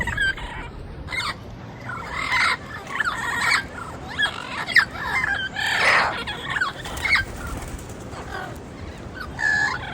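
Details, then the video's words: Wild turquoise-fronted amazons in nature giving harsh, nasal squawks in short irregular bursts, some doubled, with a louder raucous outburst near the middle and quieter gaps between. "Vocalização do Papagaio verdadeiro na natureza"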